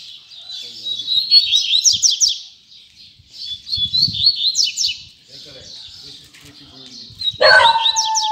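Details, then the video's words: Double-collared seedeater singing in the tui tui zel zel style: bursts of quick, high, buzzy chirps and slurred whistles, two phrases with a pause between, then a harsh lower sound at the end. "Coleiro Tui Tui Zel Zel"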